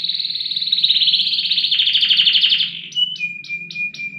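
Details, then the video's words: Kenari loper, a canary prized for song duration and volume, sings a long buzzy trill, then switches to short clipped notes repeated about four times a second over a steady lower tone. "KENARI LOPER PRESTASI DURASI VOLUME LAGU MANTAP"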